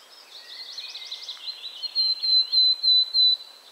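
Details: Willow Tit at 51.950609, 20.114712, giving a run of five clear, even, high notes, evenly spaced, after a jumble of soft, high twittering; may be its song or contact call, possibly with a Great Tit calling.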